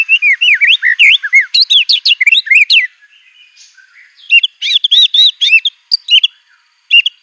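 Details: White-rumped shama singing hard with borrowed canary, cililin, cungkok and ciblek phrases: bouncy arched whistles repeated quickly, a brief soft pause, then more lively looping chirps.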